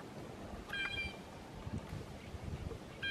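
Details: Blue jay calls above a flock of grosbeaks eating maple seeds: one short, ringing, harmonic-rich note, a second starting at the very end, over steady low rumbling background noise.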